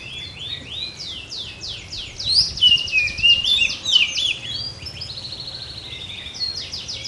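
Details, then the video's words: Oriental magpie-robin of the blorok type, singing vigorously (gacor) while pushing its tail: a rapid, unbroken stream of varied high whistles, chattering down-slurred notes and trills, loudest in the middle, over a faint low hum. "Kacer BLOROK gacor lagi dorong ekor"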